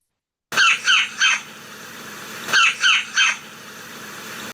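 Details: A Red-bellied Woodpecker in springtime woods, calling heavily in the morning, gives two bursts of three rolling, slightly metallic churr notes about two seconds apart against a quiet background.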